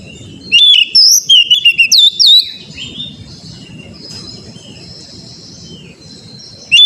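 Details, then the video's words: Oriental magpie-robin song played to coax a kept bird into singing: a quick volley of whistled slurs and sharp notes lasting two seconds, then a long quieter stretch of faint high tones and rumble. "TERAPI KACER BAHAN AGAR CEPAT GACOR NGEPLONG"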